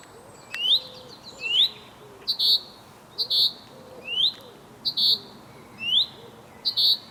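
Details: Male chaffinch calling to his mate: sharp rising whistled notes alternating with short bright bursts, about one per second, with soft low cooing in the background.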